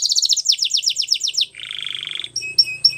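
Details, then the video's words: Belgian canary song: quick high trills of repeated downward notes, shifting to a lower buzzy rolling trill, then a few separate sharp whistled notes, with a faint low hum. "White Canary Song | Belgian Canary Singing"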